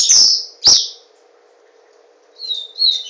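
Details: Capped seedeater, a kept songbird from Garanhuns, Pernambuco, Brazil, singing in the tornado style: two sharp high chirps, a pause, then a thin high warble; steady low hum behind.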